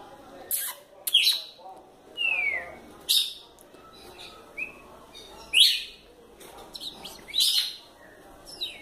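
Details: Female red-cowled cardinal, described as lively, delivering short whistled notes, including a descending slur, mixed with sharp chips and loud clicking bursts at irregular intervals.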